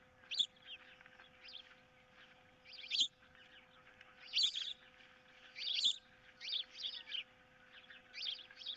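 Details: Excited ospreys at their nest, 15 April 2023, as one keeps a fish the other wants and an intruder lurks: scattered groups of piercing, whistled chirps, some louder peaks, irregular spacing, low background hum.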